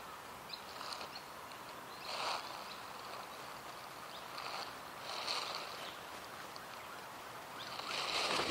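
Sulphur-crested cockatoo giving harsh, raspy screeches, three short bursts about three seconds apart, over a steady background hiss.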